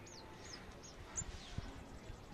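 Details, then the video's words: A male sunbird parent and a fledgling that has fallen from the nest call to each other: thin, very high whistles repeated about every half second, some sliding downward, over low rumbling background noise. "male sunbird parent & baby sunbird communication after baby fall down"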